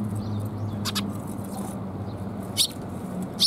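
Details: Sparrows recorded on 20 February 2021; short, sharp, bright chirps burst out twice near the end over a low steady hum.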